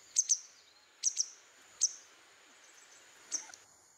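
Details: Grey Wagtail, a non-breeding winter visitor at a jungle waterhole hide near Kaeng Krachan National Park, Thailand, giving sharp, high, metallic 'tzit' calls, often in quick pairs about a second apart, over faint steady hiss, while bobbing its tail.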